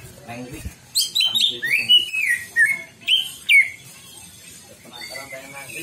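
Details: Greater green leafbird lure song meant to make a bird unleash its repertoire. After a soft start, a burst of loud, sweeping whistled phrases and sharp chips follows, then fades to a quieter background with faint voices.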